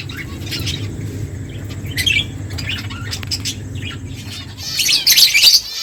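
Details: Feeding finches give quick, high chirps in loose bursts, building to a dense, loud chatter near the end, over a constant low hum.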